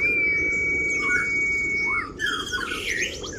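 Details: Tutor recording of an Oriental white-eye, kriwik song for provoking rival birds: a sustained even whistle holding for about two seconds breaks into a fast, jumbled chatter of high chirps.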